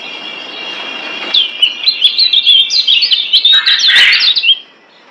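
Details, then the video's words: Lombok yellow white-eye (kecial kuning, Zosterops), kept as a songbird, sings a fast, high, twittering song of thin chirps and warbled notes for about three seconds over a faint background hiss; the recording is used as training audio. "Masteran Kecial Kuning"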